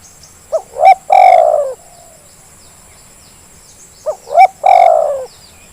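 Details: Two zebra dove phrases used as a lure to set quiet birds calling, each with two short upslurred coos and a long strong coo fading downward, about three and a half seconds apart, high hum constant.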